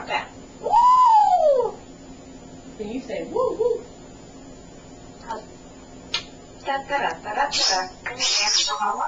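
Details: Chatty male African grey parrot kept indoors as a pet, talking: a loud rising-then-falling whistle, then murmured speech-like syllables, a click, and a run of harsh, breathy word-like bursts toward the end.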